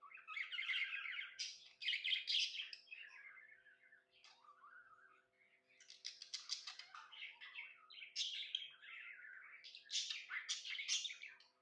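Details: Tame pet budgie chattering happily: long runs of buzzy, rasping warble interleaved with lower whistled notes, coming in three or four bursts with brief gaps.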